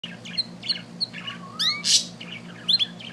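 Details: Little bird singing: varied high chirps and whistled notes, one long falling-rising slur, and a burst of harsh squawk near the middle, over a steady low hum.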